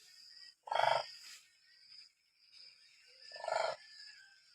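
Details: Demoiselle crane, known locally as koonj, giving two loud, harsh rolling calls about three seconds apart over a steady high-pitched hum.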